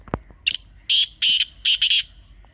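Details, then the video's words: Teetar, or grey francolin, giving a hunting call: a soft knock, then a short harsh note and a strident rasping phrase of four loud notes, the last two paired. "تازہ تیتر کی اصلی آواز | Teetar Ki Real Voice"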